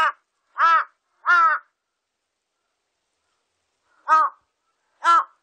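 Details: Large-billed crow from a 2020 National Institute of Biological Resources recording giving harsh cawing calls: three quick caws, a pause of over two seconds, then two more spaced about a second apart, with nothing else audible.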